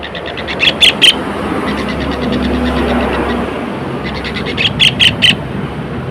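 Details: Tengkek, a kingfisher, sings loud, harsh, clipped notes in two bursts of about six rapid repeats each, separated by a few seconds of low hum and background noise.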